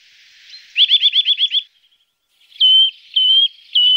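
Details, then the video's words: Eurasian nuthatch call used as a lure to attract birds: a rapid trill of about seven quick notes, then a pause, then three loud, even whistles, each about half a second long, over faint hiss. "Reclamo Del Trepador Azul (Sitta Europaea) El Mejor Para Llamar"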